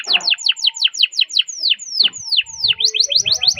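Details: Canary singing as a model for other canaries, a run of sharp downslurred whistled notes repeated quickly, spacing out into longer sweeping slurs before a fast trill resumes.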